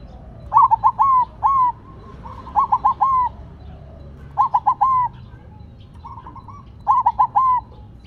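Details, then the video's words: Silver zebra dove singing steadily while set down on the ground; a quick run of soft, rolling cooed notes ending in a longer drawn-out coo, repeated four times about every two seconds against quiet low background rumble. "Perkutut Silver Tetap Gacor Walaupun Ditaruh Tanah"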